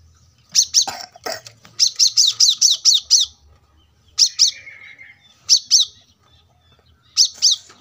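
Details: Brown-throated sunbird masteran song for training cage birds: loud, high, sharp chip notes in a rapid series of seven, then shorter pairs after pauses, with a faint low rumble of traffic.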